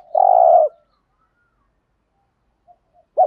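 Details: Decoy spotted dove, thúc gù urging coo in deep giọng thổ voice: one long steady low coo, a pause with faint murmurs, then the start of another note.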